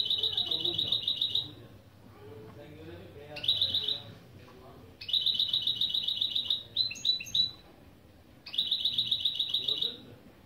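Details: Goldfinch–canary mule opening phrases in a lesson recording: rapid metallic trills of repeated notes in bursts of about one and a half seconds, separated by short pauses, one burst ending in quick stepped twitters.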